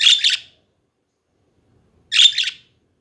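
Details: Pet budgerigars chattering in a room: two short harsh, buzzy bursts of warbling chirps about two seconds apart, with silence between.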